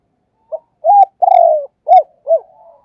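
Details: Decoy spotted dove (cu mồi) cooing in the thúc and gáy gọi calling style. One phrase of five hoarse, mellow coo notes: a short first note, two longer drawn-out middle notes, then two rounded notes trailing into a soft low hum.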